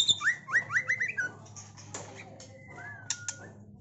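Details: Medan-type white-rumped shama kept in a cage and trained for song contests delivers four or five swift upward-sweeping whistles, then sparse clicks and a drawn-out level whistle.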